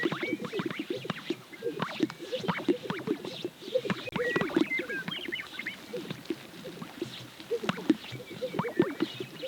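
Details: Many Greater Sage-Grouse display on a lek in central Montana in the pre-dawn dark and blue hour, a steady overlapping chorus of low hollow pops and plops with scattered squeaky whistles.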